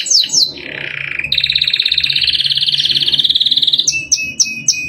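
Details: Canary song for training captive birds, in the cengkok mewah style: two falling whistles, a low trill, then a long fast rolling trill held high for about three seconds, closing with four short repeated chirps.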